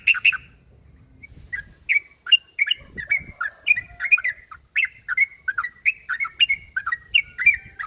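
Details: Trucuk, the yellow-vented bulbul, in challenging mood, calling a rival with a string of short, liquid, chirpy notes that start sparse and then come about twice a second, with a faint thump partway.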